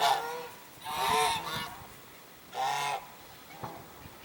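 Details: African geese filmed at Jordan Valley, January 19, 2021, giving separate loud nasal honks, each lasting under a second, with short quiet gaps between calls.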